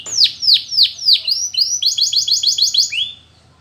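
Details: Russian canary flute-style singing, used to train canaries: a run of four loud, sweeping downslurred whistles, then a fast rolling trill of short repeated notes that fades out near the end.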